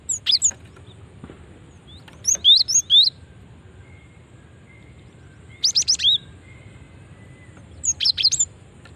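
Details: Female cinereous tit used as a lure for other birds; repeated bursts of thin, high chirps with curling whistled notes, four bouts over the recording and quiet gaps between.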